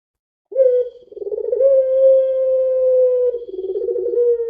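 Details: Long-voiced puter pelung dove cooing: a sharp opening note, a quivering stretch, then a prolonged smooth level hoot that finishes in a wavering, slightly lower tremble.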